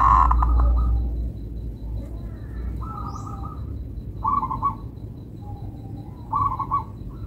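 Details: Local zebra dove singing melodiously: a loud opening coo, then three brief clusters of rapid staccato cooing notes spaced about every one and a half seconds, with low background rumble.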